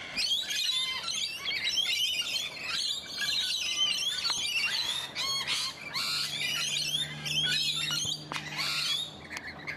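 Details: Australian rainbow lorikeets in a garden in Donvale, a dense flock chorus of harsh, shrill screeches and chattering squawks overlapping without pause, with a low steady hum joining in the second half.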